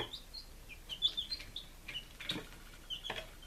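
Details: Five-day-old domestic chicks in Lunenburg, Massachusetts, recorded on 23 July 2017, giving a steady stream of short high peeps, some rising and some falling, with a few soft knocks and rustles in between.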